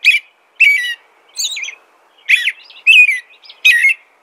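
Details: Six distinct whistled phrases of American robin song in quick order, warbled and slurred, one higher and thinner than the rest.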